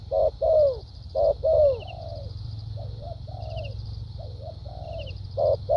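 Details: Decoy spotted dove kept in a cage sings its formal cooing pattern, thúc gù and lèo dặm: two loud short-long coo pairs, then gentle wavering low coos, and a further pair at the end, with high insect buzzing throughout.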